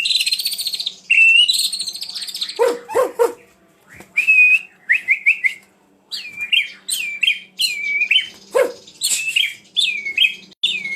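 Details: White-rumped shama singing a varied, loud medley: a buzzy opening, deep clicking notes, then a series of bright rising and falling whistled phrases repeated in quick succession.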